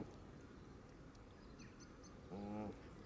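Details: Canada geese feeding on grass at the water's edge, around an unattended camera: after quiet low rumble, a single short nasal honk near the end.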